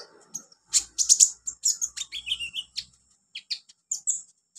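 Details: Olive-backed sunbird song in a recording meant to train beginner birds: quick high thin chirps and sharp tweets in dense bursts, with a short lower buzzy rattle partway through and brief pauses between phrases.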